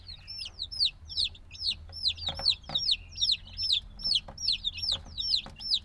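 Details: Black baby chicks, just days out of the egg and still needing warmth, give loud, regular high peeps, each note dropping sharply in pitch, repeated roughly every half second by several birds together.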